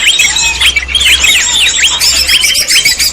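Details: Greater green leafbird song used as a lure for trapping leafbirds: bright, rapid, high chattering with repeated sharp downward-then-upward swooping whistles about every half second, over a dense layer of fast twittering notes.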